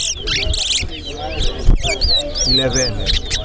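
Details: Chestnut-bellied seed finch, called towa towa, competing in a singing race at Sheriff Street bird ground. It gives clear warbled whistles with upslurred notes over people talking, counting and background music.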